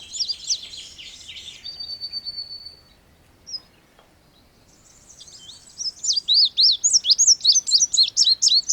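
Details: Song of an Indigo bunting: high twittering notes, a thin steady whistle, a pause, then a loud run of sharp up-and-down slurred notes repeated about four times a second.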